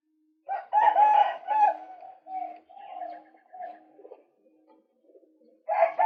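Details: Male White-breasted waterhen recording used as a bird lure. Loud grating croaks fade into quieter, drawn-out notes and soft mutters, before a fresh harsh burst starts at the end.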